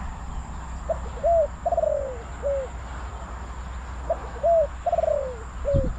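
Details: Decoy spotted dove at a Bang Li trapping site in Thailand luring wild birds, giving two full coo phrases: a clipped note, a rising hooked coo, a long sliding downward coo and a short closing note, over low background rumble.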